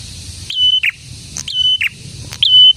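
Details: Prinia, a lure bird in full song, given as a decoy to draw other prinias and prompt silent ones to sing; repeated notes, each a sharp upslur into a long high level whistle ending in a buzzy drop.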